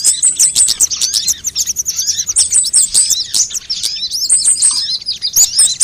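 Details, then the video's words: Assorted sunbirds, recorded as a lure and singing tutor for birds: a continuous chorus of thin, high chittering notes and fast repeated trills, many voices overlapping throughout. "suara pikat semua jenis burung kolibri"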